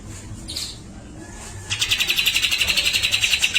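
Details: Grey-cheeked bulbul giving besetan and a long tembakan in full voice: a soft high note, then an evenly beating harsh trill, roughly ten pulses a second, running for about two seconds.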